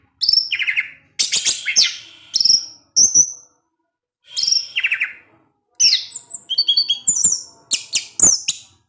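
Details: Orange-headed thrush singing at dusk to goad other thrushes; bursts of harsh, buzzy chattering and high squeaky notes in short phrases separated by silent gaps.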